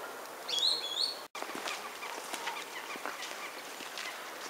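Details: A green sandpiper (Tringa ochropus), recorded 24 January 2015 and described as spring song, gives a quick pair of clear, high, rising fluted whistles, then a brief cut and faint background rustle and ticks.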